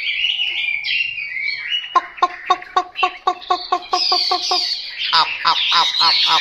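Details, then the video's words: Chinese hwamei song opening with sweeping whistled phrases, then a fast, evenly spaced series of about a dozen sharp repeated notes, then rising trilled and warbled phrases. "Họa mi mộc"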